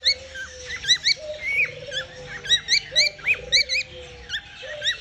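A cockatiel hums in low, wavering drawn-out tones while sharp, bright chirps break in repeatedly.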